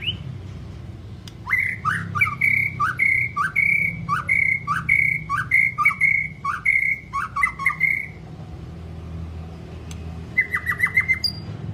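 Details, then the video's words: White-rumped shama in a training recording for long, varied song: a rapid series of rich whistled phrases with sharp clicking accents, about fifteen repeated notes over six seconds, a pause, then a brief burst of downslurred whistles. "chòe lửa hót giọng dài,kích lửa cho chòe lửa căng lửa"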